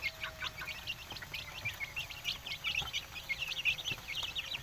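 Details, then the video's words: Indonesian village chickens giving rapid, overlapping high chirps, short peeps repeated many times a second by several birds over a faint low background hum. "ayam kampung"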